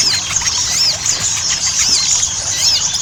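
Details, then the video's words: Ruby-cheeked sunbird (sogon) ngobra-style chatter used to coax birds into song: very high, sharp squeals repeated about every three-quarters of a second, with lower twittering slurs underneath. "PANCINGAN SOGON AGAR CEPAT GACOR"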